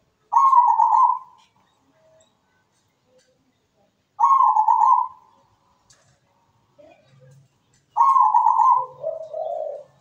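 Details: Zebra dove, locally perkutut, singing persistently: three loud level coos about four seconds apart, the last followed by lower rolling notes, with faint low knocks in between.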